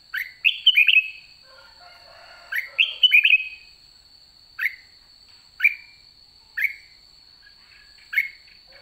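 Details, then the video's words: Red-whiskered bulbul at the end of the season, now giving its rattling "ché" song: bright, rolling whistled phrases, first in quick clusters, then single chirpy notes about once a second, over a steady high electrical whine. "Chào mào má trắng cuối vụ đã ché"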